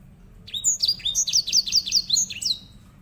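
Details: Grey singing finch song, loud and high, made of quick slurred chirps and a short run of repeated notes, over a faint low background hum.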